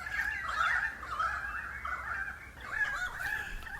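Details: A flock of about 30 pied currawongs (Strepera graculina) calls for some 20 minutes from messmate eucalyptus treetops in the Dandenong Ranges east of Melbourne, Australia, heard from about 200 m: overlapping ringing, wavering notes rising and falling in continuous chorus.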